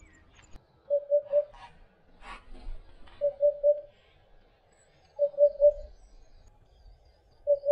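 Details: Eurasian hoopoe heading to the nest to feed its young: soft, hollow three-note hoots in steady sets roughly every two seconds, with faint rustling and brief broadband knocks between phrases.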